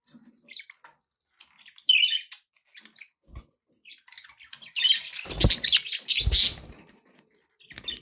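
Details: Pet budgies giving scattered sharp high chirps, then a louder burst of harsh, noisy chatter with a few low thumps partway through.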